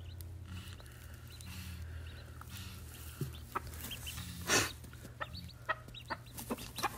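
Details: A mother call duck with her new babies gives soft, low clucking notes every second or so, with sharper clicks and peeps later, over a steady low hum.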